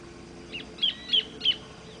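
Orange-breasted thornbird giving four short, sharp high notes about a third of a second apart, with a faint low hum behind.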